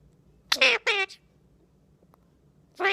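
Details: Two-year-old male pet Indian ringneck parakeet talking to the camera, giving two loud raspy speech-like syllables in quick succession, a pause, then another harsh burst.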